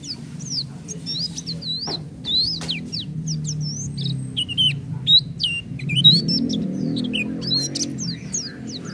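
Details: Oriental white-eye in vigorous, steady song: a continuous, varied warble of high whistled notes, rising and falling slurs and quick twitters, with a low rumble of background noise throughout.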